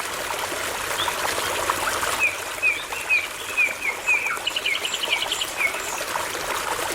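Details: Near a babbling brook, a nightingale sings a loose string of clear, slurred whistles, irregularly spaced over a few seconds, against constant stream noise and faint chirps of other birds.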